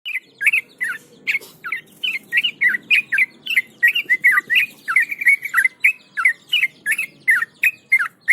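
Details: Tame Yellow-vented Bulbul (trucukan), once shy and now calm enough to be handled, singing nonstop in the continuous 'gacor ngebram' style while held in the hand. Its bright, slurred whistled notes dip and rise, about three per second, over a faint low hum.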